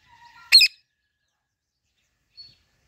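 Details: A female Alexandrine parakeet gives one loud, harsh, raspy squawk, preceded by faint whistled notes, then a brief high chip after a pause.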